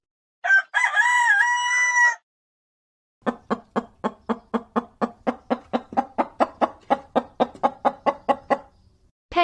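A rooster gives one brief, harmonic crow lasting under two seconds, followed by a different call: a steady run of about twenty harsh, pulsed notes.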